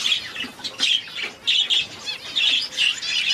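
A two-day-old star finch chick begs with thin, high, scratchy squeaks in quick uneven bursts, roughly one burst per second.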